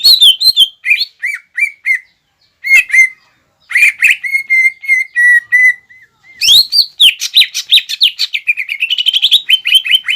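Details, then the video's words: Energetic green leafbird song meant to provoke a rival into fighting, drawing on imitated birds like sparrows and ciblek: bursts of bright whistles, buzzy trills and runs of level whistled notes, broken by short pauses. "CUCAK IJO GACOR FULL BONGKAR ISIAN AGAR CUCAK IJO LAWAN EMOSI DAN MAU JAMTROK"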